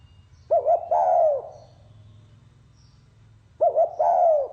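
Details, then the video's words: Spotted dove singing in the 'pha kim' voice style: two phrases about three seconds apart, each with two quick looping coos then a long, falling mellow coo, over a steady low hum. "Tiếng chim cu gáy giọng pha kim"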